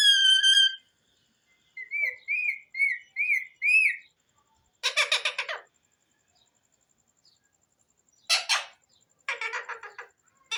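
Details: Talking pet Alexandrine parakeet (pahari tota): a loud steady whistle, then five short upslurred whistled notes in quick succession, followed by rough rasping squawk bursts after pauses.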